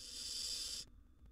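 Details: Young wild barn owl in a nest box, competing with an older sibling for food: the tail of a long harsh hiss that cuts off abruptly, followed by near silence and faint tapping.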